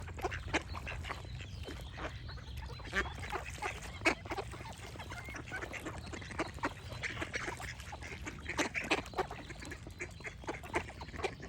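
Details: Continuous duck quacking, with many nasal calls packed closely together over twelve seconds, some louder bursts standing out, and birds chirping steadily in the background.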